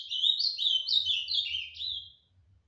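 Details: Ultramarine grosbeak (azulão) from Tijucas do Sul, Paraná, Brazil, singing one rich, warbled phrase of slurred whistles lasting a little over two seconds, each note sliding up and down and ending lower.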